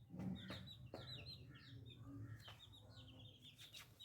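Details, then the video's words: New little chicks keep up a busy twittering of bright, slurred cheeps, each dropping in pitch, over a low droning hum with a few sharp knocks. "Chicken Free Sound || Funny Chicks baby"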